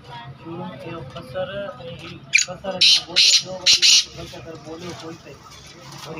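A black francolin gives a quick run of four loud, harsh, rasping notes over about a second and a half, with people talking before and beneath it.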